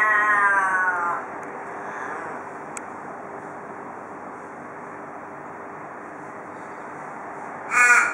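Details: Australian raven in Perth, Australia, giving the 'cock a doodle doo' call known from local ravens: one long drawn harmonic caw fading out, a long quiet gap with faint hum and a click, then a single loud caw.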